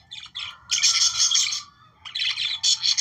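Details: Budgerigars, known as Australian parakeets, singing to stimulate breeding: bursts of dense, buzzy, chattering warble with scratchy high notes, a brief pause, then another run of rapid chatter.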